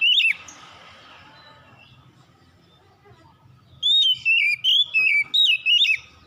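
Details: At dusk, an Oriental magpie-robin gives one sharp whistle, falls silent for about three seconds, then launches into a run of six quick warbling whistles, each gliding downward.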